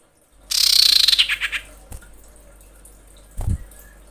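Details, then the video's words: Female common iora in breeding condition calling the male: a loud, rapid, buzzy chattering rattle lasting about a second that slows and falls toward its end. Two dull low thumps follow. "KICAU CIPOW BETINA BIRAHI MEMANGGIL JANTAN"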